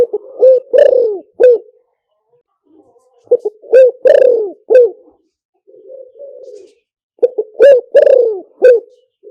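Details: Luring call of a spotted dove: three phrases of stuttered coos and a drawn-out bending croo, spaced about three seconds apart. A quiet, low murmured coo sits between the second and third phrases.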